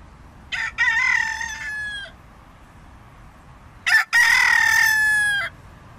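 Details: Red junglefowl rooster giving two loud crows about three seconds apart, each a brief stuttering start followed by a long, harsh, level drawn-out note lasting over a second before breaking off.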